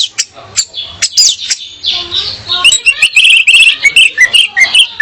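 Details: Female orange-headed thrush song used to entice a male into singing: a few sharp chirps at first, then a quick run of repeated high warbled notes, roughly two to three per second.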